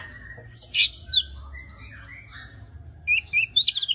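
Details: White-rumped shama in non-stop singing form, prepared for contest: a loud chirped burst, then drawn-out, wavering mid-pitched whistles, ending in a fast string of bright, repeated notes.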